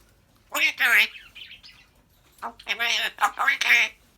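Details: African grey parrot chatting in human-like speech, two bursts of voiced, harmonic word sounds with a short pause between, clear against a quiet background.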